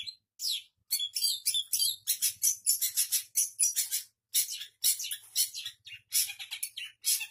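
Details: Shrike pouring out a dense, mimicking song of quick high chirps, trills and downslurred whistles in near-continuous bursts.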